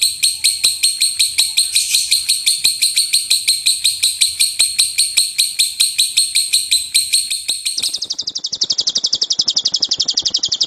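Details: Lovebird thundering 'tembakan' song for training other birds: bright, high chirps about three per second, then an abrupt switch after eight seconds to a faster, softer, tighter trill.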